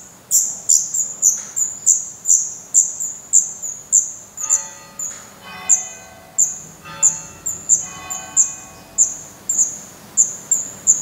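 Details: Black redstart chicks calling from their nest in Portugal, 16 May 2020. Regular sharp high peeps, around two per second, with a faint tonal ringing sound mid-clip in the background.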